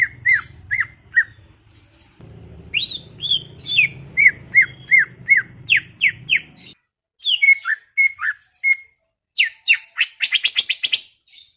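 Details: Greater green leafbird chattering busily: long runs of quick, sharp falling notes, a few level whistles, and a final burst of rapid buzzy notes, while a low hum comes and goes.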